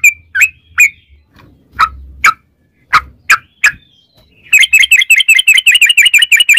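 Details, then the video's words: Yellow-vented bulbul lure song. A few scattered sharp chirps are followed by a fast, even trill of bubbly notes in the last two seconds. "trucukan gacor ROPEL PANJANG buat pancingan trucukan agar bunyi jadikan burung trucuk gacor EMOSI"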